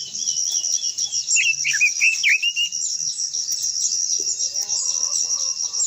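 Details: Japanese white-eye delivering its long, stimulating song: a short rush of thin, sweeping high notes and twitters for about a second and a half, set against a constant shrill insect hum, with faint lower chirping near the end.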